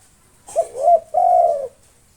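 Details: One mellow phrase from a local spotted dove singing to provoke rivals: a short note, a swelling rise-and-fall coo, then a prolonged low even coo.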